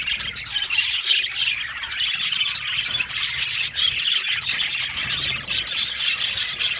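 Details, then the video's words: Colony of budgerigars in an aviary making happy chirping sounds: busy overlapping high chirps, squawks and clicks running steadily throughout. "Budgies chirping sounds | Happy Budgies sounds"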